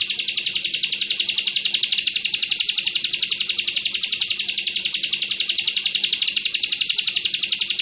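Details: Bar-winged prinia singing ciblek kristal 'bren rapat ak 47', a dense rapid-fire style used to train other songbirds: an unbroken machine-gun run of high, piercing notes, roughly three or four each second, steady in pitch throughout.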